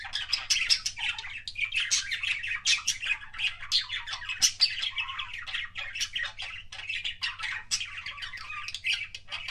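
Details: Pet budgerigar indoors making kissing sounds: a dense, unbroken stream of rapid high chirps, clicks and scratchy warbled notes, with steady low hum underneath.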